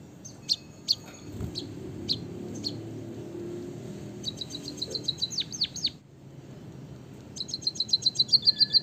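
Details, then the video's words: White-headed munia from Java, with a canary fill-in for training caged birds: scattered sharp chips, then a burst of quick notes and descending whistles, a brief pause, and a fast ringing trill at the end. "suara burung emprit peking bondol kaji gacor isian kenari ngeroll panjang untuk masteran"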